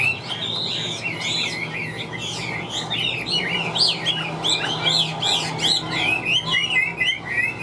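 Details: Caged Chinese hwamei of wild origin in full song: dense, rich run of bouncing, warbled whistles at high pitch, continuous and energetic with barely a pause, over a faint low hum.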